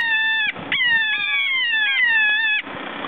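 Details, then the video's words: Keas bothering one another, giving long loud descending harmonic wails, several in a row with brief breaks, broken by short rough noises and scuffling sounds. "Keas Pestering Eachother"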